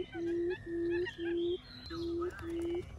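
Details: Quail giving the 'cút um' decoy call used to draw other quails in: a steady, low hollow hoot, about half a second long, repeated roughly twice per second. Faint higher chirps from other birds sound behind it.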